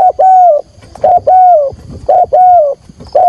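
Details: Spotted dove used as a trapping lure, calling loudly and close: a brief clipped note followed by a long, smooth, gently falling coo, the pair repeated roughly every second.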